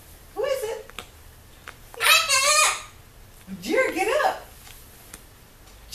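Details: Indoor pet severe macaw reacting to a visitor at the window, giving three raspy, harsh squawks spaced a second or more apart, the middle one longest and loudest, in a quiet room.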